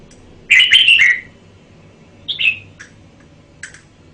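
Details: Red-whiskered bulbul singing a rich warbled phrase of rolling whistled notes, then a shorter two-note follow-up and a brief sharp chip, over soft background hum.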